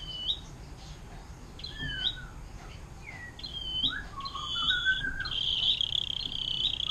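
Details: Atlantic canary giving 'air mancuran' song as a tutor for murai batu, cucak ijo and cendet: scattered high chirps and slurred whistles building into a dense, buzzy, sustained trill.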